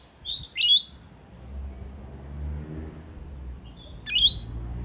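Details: Rainbow lorikeets, wild birds coming to a balcony in Melbourne, Australia, give sharp grating screeches, two close together at the start and one more near the end, with a quiet low hum between.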